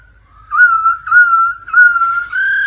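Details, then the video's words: Laughingthrush practising daily with a female 'ro ro'. It gives four long, steady, rich whistled notes at an even pitch, with short gaps between them. "Khướu hót luyện giọng mỗi ngày Kèm mái ro ro"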